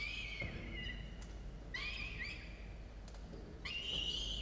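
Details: Pair of falcon chicks, 17 and 13 days old, on a university nest cam at about 6 a.m., 27 October 2022; thin whistled wails in three separate phrases, some dropping in pitch, some faint knocks and low hum.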